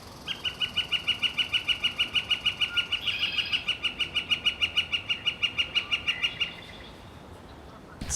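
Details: A Northern Flicker calls from high up in spring woods at Maplewood Nature Center, Minnesota, giving a long, even series of loud, ringing 'wick-wick-wick' notes, about five per second, for six seconds.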